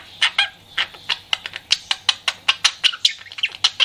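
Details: Pet budgerigar flirting, giving sharp, clicky chirps repeated several times a second in a steady, animated run, each note short and bright.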